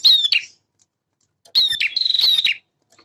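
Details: Singing male bar-winged prinia: a brief sharp high phrase, a pause, then a longer run of rapid trilled whistled notes ending in a buzzy drop.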